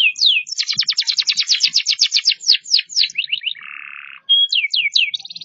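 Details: Canary performing varied song: fast series of clear descending whistled sweeps, then a buzzy low rattle, a pause and more swooping whistles, loud and clean.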